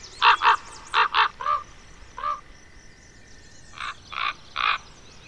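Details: In France's Côtes d'Armor, juvenile common ravens call in loud paired croaks, harsh and throaty, then lone softer caws, ending with a quick set of three rasping calls.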